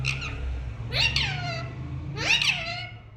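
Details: Pet parrot indoors imitating a cat's meow: two drawn-out, wavering, falling meow-like cries about a second apart, each with rich harmonics, over a low steady room hum.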